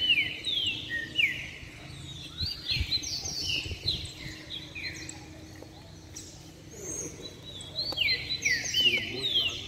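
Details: Caged saffron finches singing together in a lively session, a run of repeated downslurred whistled notes with sharp high ticks, phrases coming about twice a second, over a low background rumble.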